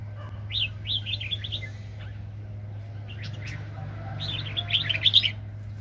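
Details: Red-whiskered bulbul, a highly aggressive decoy used for bird trapping, 2020. A series of quick, rising, slurred whistles opens, then sharp clicks, then a louder rolling warble near the end over a steady low hum.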